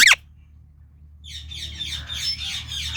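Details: Indian ringneck parrot opening with one sharp falling squawk, then a pause, then a rapid run of high, scratchy chattering notes that continues to the end, over a faint low hum.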